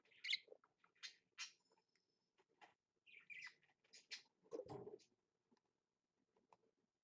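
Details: Pet budgerigar (parakeet), recorded 2.10.15, giving short scratchy chirps and chattering notes in irregular half-second bursts, a rougher lower note near the middle, then quieter scattered chirps with silent gaps between.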